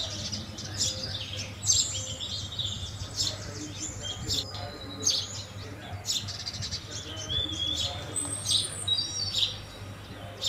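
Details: House sparrows at a feeding spot chirping in short, bright bursts throughout, with thin whistled notes from other birds overhead and a steady low hum underneath.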